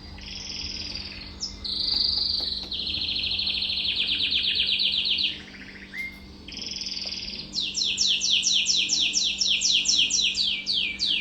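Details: Mosaic canary, a white-ground colour mutation, delivering a long varied song: high buzzing trills, a fast rattling run, a brief pause, then a quick series of steeply falling chirps repeated rhythmically.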